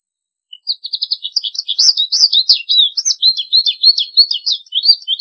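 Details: Continuous twittering song of an American goldfinch: a rapid, varied stream of high, warbled and trilled notes running almost five seconds without a break, with no other sounds.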